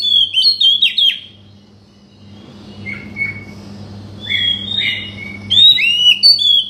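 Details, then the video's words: Oriental magpie-robin song for provoking a silent bird: a quick cluster of bright whistles, a hush, then softer slurred notes building again into a loud varied phrase, with steady hum behind. "buat mancing burung kacer macet bunyi"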